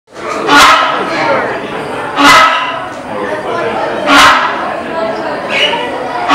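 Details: Rhinoceros hornbill at the Cincinnati Zoo giving four loud, harsh honking calls, roughly one every one and a half to two seconds, over a murmur of people talking in an echoing room.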